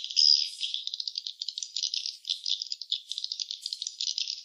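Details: Nest-site swiftlets producing high, rattling twitters made of fast clicks in uneven bursts, with a few sharper, higher chirps standing out; no other noise.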